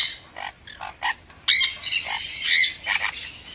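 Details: Sun conure giving harsh, rasping squawks: a few short grating notes early on, then two loud, drawn-out screeches roughly a second apart, broken by brief softer chatters, with no other sounds noticeable.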